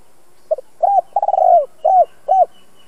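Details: Spotted dove, a two-ending bird with a fine voice kept as a decoy to train others: one cooing phrase of a short double note, an arched coo, a long purring descending coo, then two arched coos, low-pitched and clean.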